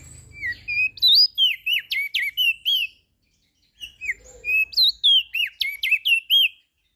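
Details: Crested white-eye from Lombok, a master song to prompt birds that rarely sing: two rapid bursts of sweet, slurred whistled notes, each about two seconds, separated by a brief silence.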